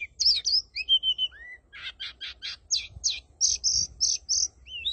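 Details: Oriental magpie-robin decoy bird singing nonstop: a varied run of clear high whistles, slurred rising and falling notes and rapid buzzy trills, delivered loud and close with barely a pause. A faint low rumble sits underneath.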